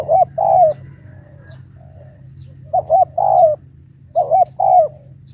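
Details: Spotted dove's high 'tiểu cườm' lure call for challenging wild doves: three phrases in quick succession, each two short wavering coos and a longer descending coo, over a soft low background hum.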